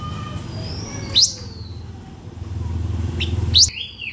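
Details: Blue-winged minla in full song to draw in other birds: sharp steep upward-sweeping high notes twice, with thin faint whistles between them and a rumble of traffic-like background noise.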